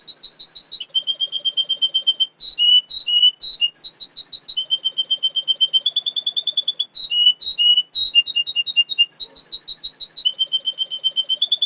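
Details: Russian canary singing, a breeder's bird from Miami, Florida: continuous high rolling trills broken by short pauses, with dipping chirped phrases between steady trilled runs.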